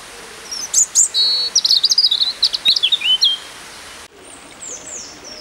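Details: European robins in full song at Peasholm Park, Scarborough: bright, high, varied phrases of quick twittering notes and thin whistles, with trills around the middle, then a break followed by a few descending whistled notes.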